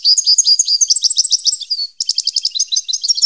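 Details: Song of a goldfinch, 2015: continuous, lively, high-pitched twittering made of rapid liquid notes and trills, briefly broken by a slurred note before the jingling chatter resumes.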